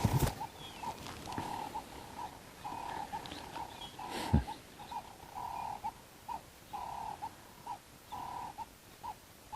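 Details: Doves calling above a bush walk at sunrise on 4 May in a South African game reserve give short, soft, level-pitched coos in overlapping phrases, several birds together, over the rumble of a fairly strong southeasterly wind.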